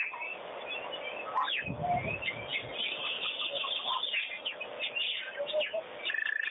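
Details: Wattled starlings bathing at Pete's Pond, giving a dense chatter of short chirps and squeaky notes with overlapping calls, plus a brief low rumbling thump near the start, likely splashing.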